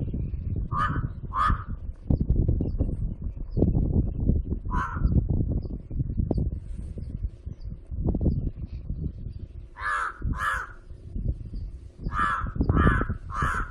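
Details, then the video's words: Crow uttering short harsh caws in small bursts, two early, one mid-way, then a rapid series of four to five near the end, over a persistent low rumble. "Crow Makes Funny noise"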